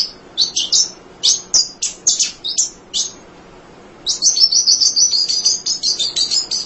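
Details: A munia sings without letup, used to tutor other songbirds: short high chirps in irregular groups for three seconds, a short gap, then a fast steady stream of bright twittering notes, roughly three per second.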